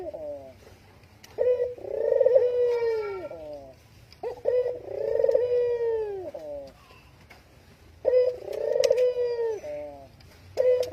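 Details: Dove calling to lure other doves into cooing: long, deep, rolling coos, each a pulsing tone that swells then falls, ending in a short clipped note, repeated about every three seconds, indoors with faint clicks.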